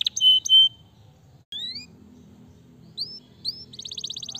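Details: Canary song in short bursts: a couple of loud high chirps, a pause, then scattered rising whistled notes and a brief rapid trill at the end, over a quiet low background hum.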